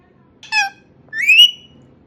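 An Indian ringneck parakeet gives two quick utterances: a short, rich nasal squawk, then a rising, whistled, word-like phrase. The room behind is quiet.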